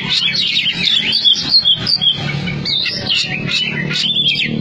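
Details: Caged competition Oriental magpie-robin from Cianjur, praised for fast, stylish singing. It pours out an intense, rapid stream of high whistled notes and sliding trills over a steady low background hum.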